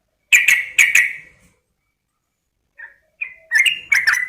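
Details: Female sooty-headed bulbul calling a male: two loud sharp chirps, a pause, then a softer note building into a quick burst of rising chirped notes.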